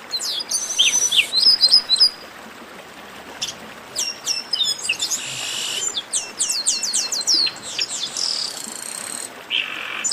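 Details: Chestnut-capped blackbirds in a raucous 'baderna' chorus: harsh buzzy bursts alternate with quick runs of high descending chips and thin whistles, many birds calling over one another.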